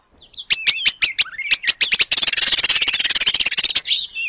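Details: Oriental magpie-robin in full song, carrying long-tailed paradise bird material: a run of sharp high whistled notes about five per second, then a dense buzzy rattle of rapid clicks, ending in a rising whistle.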